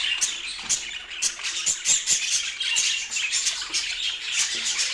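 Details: Domestic budgerigars chatter in quick high chirps and squawks, with sharp clicking bursts about every half second over a steady twittering background.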